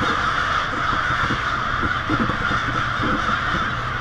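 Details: Swarming wild American crows, hundreds or thousands strong, settle noisily into a night roost on a Lansing, Michigan street in early February, producing a dense, harsh cawing clamour that never lets up, with some low rumble.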